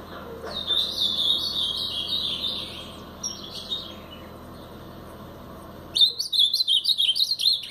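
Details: A brown-plumaged Blue-black grosbeak gives a long, rapidly warbling Paraná-style phrase of high whistled notes, then after a pause a louder, choppy burst of clipped slurred whistles.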